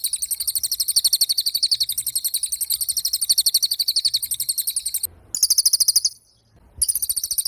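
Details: Long, steady run of shrill, rapid chirps from a pied fantail, followed near the end by two abrupt cuts, with short bursts of song between them.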